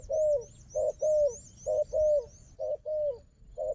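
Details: Wild dove, said to fight well, with a strong decoy bird. It gives steady, evenly spaced low coos, some short and some drawn out and falling slightly, with faint high chirping above.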